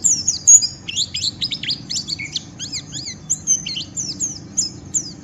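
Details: White-eye giving a rough ngeriwik song meant to provoke rival white-eyes into singing: rapid, dense high chirps and twittering notes tumbling over one another without pause, with a steady low hum underneath.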